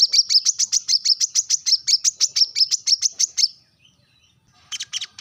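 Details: Brown-throated sunbird calling its rivals with a sharp, rapid sequence of high ringing chips for about three and a half seconds, then quiet and a few fainter closing notes.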